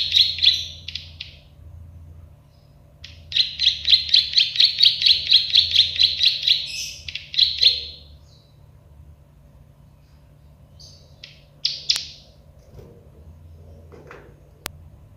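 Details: Plain prinia, known locally as prenjak sawah or klik-klik bird, in a training recording: loud series of rapid buzzy clicking notes repeated about twice a second, with pauses and a few scattered single chips, low steady hum below.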